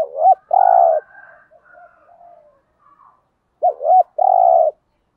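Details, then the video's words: Coo of spotted doves, male and female, used to stir kept birds into cooing: two low phrases, each a pair of quick notes then a sustained coo, separated by a few soft faint notes. "cu gáy gù thúc, thúc gù giọng hạp bổi, tiếng chim cu gáy kích bổi nhanh nổi hiệu quả"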